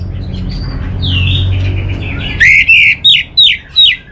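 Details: Orange-headed thrush giving soft twitters, then four loud, well-spaced downslurred whistles about half a second apart; faint low hum early on.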